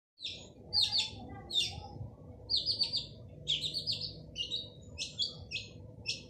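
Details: Male long-tailed shrike singing energetically, used to coax silent shrikes into song: short buzzy, scratchy high notes in quick bursts, separated by brief pauses, over a low background rumble.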